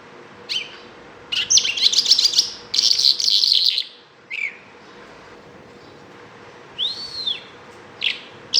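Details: Bimaculated lark song in a few scratchy, chattering bursts near the start, then a long quiet gap, a single clear arched whistle and a last sharp note.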